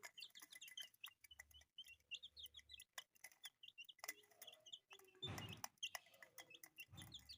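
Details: Colourful chicks kept as pets chirp in fast, high, bright peeps, many in a row, with a brief loud rustling noise about two-thirds through.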